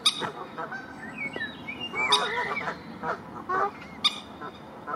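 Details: Common moorhen parents defending their babies and territory give harsh, honking, clucking calls in short irregular bursts, with several sharp loud notes and quieter chatter between them.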